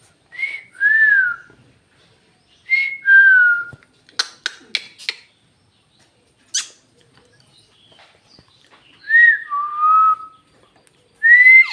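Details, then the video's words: Pet talking parrot in Bhojpuri, producing paired whistled notes that step down in pitch, separated by a burst of dry clicks and squeaks and long silences. "Bhojpuri talking parrot"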